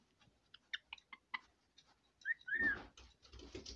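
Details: Pet female red lorikeet at bedtime jabbering: a run of short clicky chirps, then rising and falling whistled notes followed by harsh, noisy chatter in a quiet indoor room.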